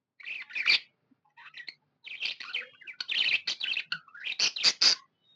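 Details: Pet budgerigar, described as happy, giving scattered short chirps and squeaks, then a busier run of scratchy warbled notes with sharp whistled peaks near the end; quiet gaps between phrases.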